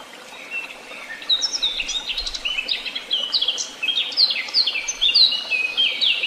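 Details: Wild birds in woodland, a chorus of high thin chirps and short whistled phrases that begins after a quiet first second and then overlaps continuously, with faint background hiss.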